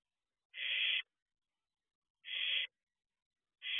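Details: Young barn owl calling from its owl box before dawn, early June. Broad, noisy screeches of about half a second, repeated at intervals near two seconds, with silence between them.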